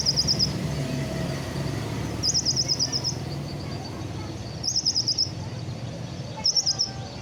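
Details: Caged sunbird just after finishing its moult, singing short, very high, rapid chittering trills of about half a second, four bursts spaced by pauses over steady low background rumble.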